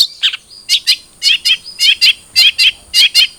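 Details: Long-tailed shrike (cendet trotol) song for prompting a captive bird to sing: fairly regular doubled buzzy chirps, roughly two pairs per second, after a short thin whistle, over a constant high whine.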